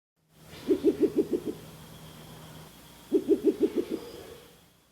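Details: Spectacled owl, a nocturnal, seldom-seen owl nicknamed the knocking owl, giving two bursts of rapid low pulsating knocks, about five to six hollow pulses each, the bursts roughly two and a half seconds apart, over a quiet background hum.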